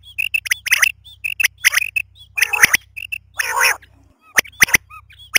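Female common quail giving quick, raspy, high-pitched notes in irregular bursts, with a steady low electrical hum underneath.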